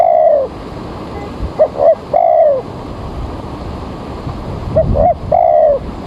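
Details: Spotted dove calling early in the morning at a bird-trapping site, rain about to fall: a long falling coo, then two short hollow notes and another drawn-out descending coo, over steady background hiss.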